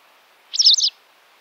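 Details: White Wagtail in Central Russia giving a single sharp, high two-syllable "chis-ick" call lasting under half a second against a quiet background.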